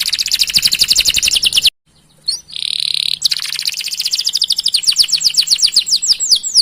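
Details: Canary with a long, rolling 'gacor' song used to coax other canaries into singing: a rapid, dense trill, a short pause, a buzzy nasal stretch, then more quick, rattling and sweeping trills.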